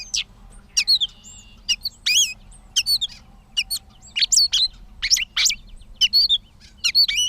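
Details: Catbird singing in Bowdoinham, Maine, on 16 May 2020: scratchy, warbled notes and sharp squeaks delivered in uneven short phrases, roughly one per second, over a quiet low hum.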